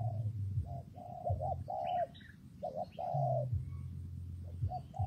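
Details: Rainy, windy day with a spotted dove cooing: a sequence of short and long mellow coo notes, the longest slightly downslurred, plus a few thin high chirps from another bird and a low humming background.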